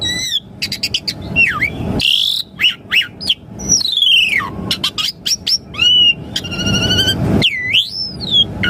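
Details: Full, varied Asian pied starling song played to stir caged birds to sing: rapid clicking chips, long looping and falling whistles, buzzy stacked notes and sharp upslurs in a busy continuous medley over low rumble.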